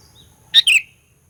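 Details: Sooty-headed bulbul song meant to rouse rival birds: a single quick two-note phrase, piercing first note then a downslurred whistle, with near silence around it.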